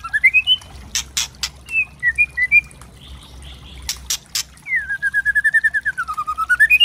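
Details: Tutor recording of a white-rumped shama to provoke birds: rising whistled notes, sharp clicks, then a long rapid trill of short notes that dips and climbs again.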